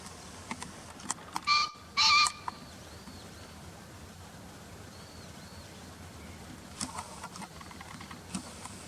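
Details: Green pheasant call taken from a bird field-guide recording: two loud, harsh, ringing notes in quick succession near the start, followed by quiet background with faint ticks and distant soft chirps.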